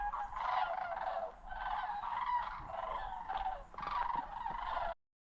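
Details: Sandhill crane flocks on fall migration over the South Okanagan near Osoyoos, British Columbia; a dense chorus of rolling, croaking trumpet calls in pulsing groups, ending abruptly in silence.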